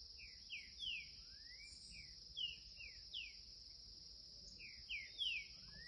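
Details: Young green-winged saltator singing in the curricutil style at a gate: short clear whistled notes, slurred up and down, in small bursts of two or three, over a steady high insect drone.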